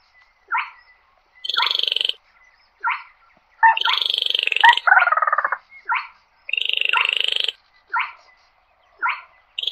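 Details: Slaty-breasted rail calling the flock: short harsh nasal notes at irregular intervals, alternating with longer grating, buzzy rasps of about a second, some twinned, in a clean recording with no other sounds.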